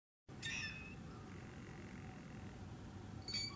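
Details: Two harsh, noisy squawks from a blue jay at Lyker's Pond, one at the start and one near the end, over steady low background rumble.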